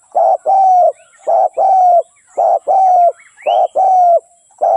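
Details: Lure spotted dove for dove trapping coos steadily, about one phrase per second: a short note and a longer level coo repeated four times, with a soft high upslurred chirp in the background.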